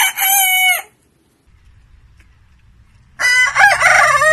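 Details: Two rooster crows: one short, steady harmonic crow at the start, then a quiet pause with a low hum, then a second, rougher and more broken crow that is still going at the end.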